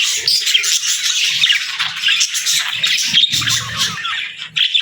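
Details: Parakeets and lovebirds kept as pets greet the morning with rapid, overlapping high chirping and scratchy squawks, a short low rumble showing about three seconds in.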